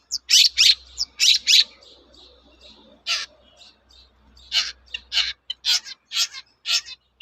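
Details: Lure song of a long-tailed shrike meant to draw answers from other shrikes: clipped harsh, rasping notes in uneven bursts, roughly one a second, with quieter gaps and a faint low hum.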